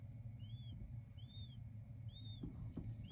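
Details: Three or four sweet, high whistled peeps from king quail chicks, each a smooth rising-falling arc, with light tapping and a faint low hum behind.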